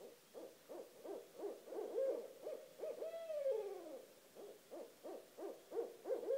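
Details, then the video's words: At 1:30 am two wild barred owls call just outside a home, a steady chorus of pulsing hoots broken midway by a long rising then falling wail, the hooting resuming evenly afterward. "Two Barred Owls at 1:30 am"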